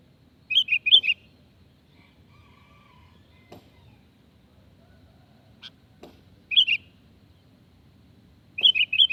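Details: Sooty-headed bulbul, a recording used as a lure to make other birds answer: short bursts of bright, chirpy two- to four-note phrases at about 0.5, 6.5 and 8.5 seconds, with faint clicks and a low background hum between them.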